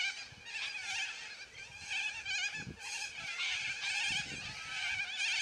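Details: A flock of noisy yellow-crested cockatoos screeching together: grating, wavering calls overlap in a steady wall of sound, rising in uneven pulses, with a few soft low thumps.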